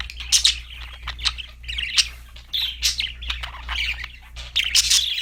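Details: Budgerigar chatter, a busy mix of scratchy warbles, squeaks and bright tweets rising and falling in loudness over a low background hum.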